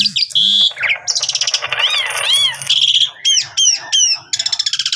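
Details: Asian pied starling (jalak suren) in full morning song, used as a lure to provoke other starlings: a busy, varied run of clear whistles, upslurred notes, harsh chatters and rapid rattling bursts, with no pause between phrases.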